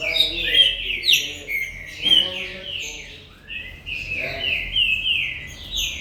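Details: Green-winged saltator from a commercial breeder, captive: loud, rich whistled phrases, slurred and descending, in overlapping bursts with barely a pause, over a faint low hum.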